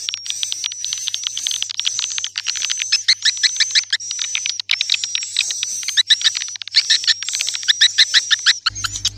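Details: Swiftlet lure call played to attract swiftlets: dense, rapid chittering twitters in uneven bursts, over a steady high thin whistle tone and a faint low hum.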